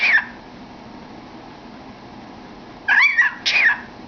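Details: Pet cockatiel singing inside a cardboard tube: one short whistled note at the start, a long silence, then two brief arched whistles close together near the end.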